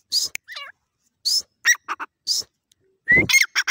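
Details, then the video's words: Grey francolin calling in a busy sequence: high rasping bursts, quick stuttering notes and a rising whistle, with a faint looping chirp early on. "Dakhni Teetar Ki Voice Beautiful awaz"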